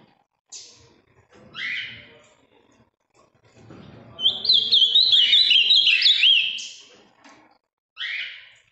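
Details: Strong-blue, large Ultramarine grosbeak from the Minas Gerais region of Brazil with a very firm song: buzzy harsh notes, faint low voices, then a fast phrase of clear zigzag whistles, and a final buzzy call.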